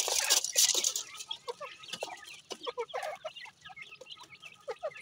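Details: Captive grey francolin chicks peeping steadily: many short, repeated chirps, several per second, some sliding down in pitch, after an opening burst of rustling noise.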